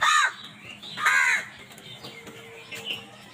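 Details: Crows squabbling over food; two loud harsh caws open the recording, then quieter distant calls and a faint steady hum.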